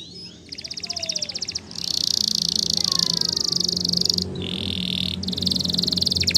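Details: Spanish Timbrado canary training song: loud, rapid, metallic rattling trills in long bouts with brief changes of pitch, over a steady low hum and faint background chirps.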